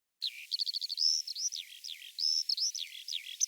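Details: Eurasian skylark singing a rapid, high warbling stream of trilled bursts and sliding whistled notes, with quick buzzy rattles woven between clearer rising and falling phrases, no other sounds.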